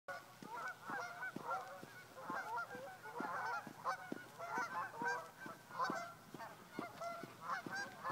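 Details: Flock of geese on a lake in Colorado, many birds honking at once in a dense, overlapping chorus of nasal, rising-and-falling honks that never pauses, with a steady faint ticking running beneath.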